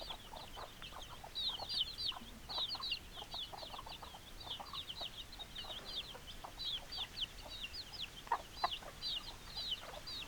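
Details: Crowded chicken flock of hens and roosters: rapid, high, twittering clucks in bursts from many birds, occasional short low notes, constant soft background hiss.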